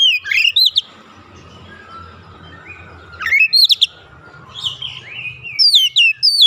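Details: Oriental magpie-robin (kacer), a young bird in training, singing in gacor full-song mode with its mimicry repertoire: loud whistled and slurred phrases in short bursts separated by pauses, faint low background hum.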